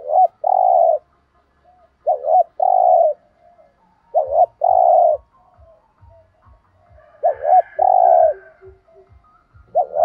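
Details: Spotted dove cooing in the thúc gù style, used to stimulate captive doves to call: three two-part phrases about two seconds apart, each a short dipping note followed by a longer, steady, mellow coo, with faint low ticking.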